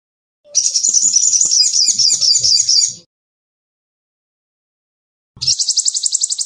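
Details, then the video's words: Crimson sunbird (sogon) in full song: a high, rapid, thin twittering trill lasting about two and a half seconds, then a shorter, faster pulsed burst after a pause, with faint low knocks underneath. "Sogon Gacor!!"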